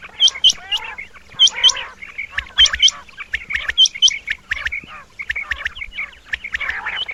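Rain quail males give sharp, high double whistles, 'whit-whit', repeated about every second, over softer twittering and chirps from other birds.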